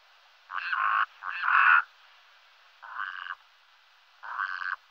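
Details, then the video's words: Brown-necked raven croaking four times, rough and nasal, the second the loudest and longest, spaced irregularly with silent gaps between. "BIRDS VOICE : The brown necked raven"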